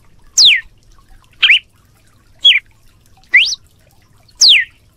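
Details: Red-cowled cardinal singing loud, sharp whistled notes, some sweeping down, some rising, about one per second, over a faint low hum.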